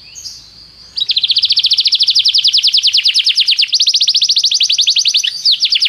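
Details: Canary tutor song for training: after a quiet start, a long, loud, fast rolling trill of bright, evenly repeated notes that briefly breaks and resumes, ending with a few lower sweeps.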